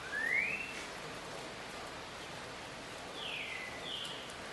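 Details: A Green-winged saltator sings a rare Caratinga-style song at midday on Saturday, 24 October 2020: a clear rising whistle, then after a pause two falling whistled notes, over a steady rain-like hiss.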